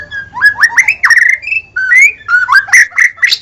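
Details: White-rumped shama singing a continuous string of rising slurred whistles and bubbly phrases, clear and melodious, with a faint low hum behind.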